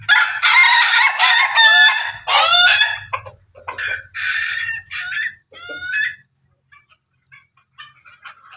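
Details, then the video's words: Pelung and Ketawa roosters together give a loud chain of stuttered crowing syllables, descending, laughing-like pulses repeated in bursts for six seconds, then near silence with faint calls. "ayam pelung ayam ketawa bersama"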